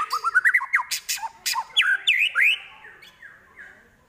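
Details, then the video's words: Mimicking shama, or murai, imitating prenjak, kapas tembak and elang: a quick series of rising whistled notes climbing in pitch, a few harsh squawks, then looping slurred whistles that fade away. "Murai Isian Prenjak, Kapas Tembak, Elang"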